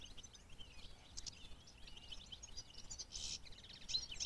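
A black redstart gives quiet, high, scratchy twittering and short thin notes in quick irregular bursts, over a low background rumble.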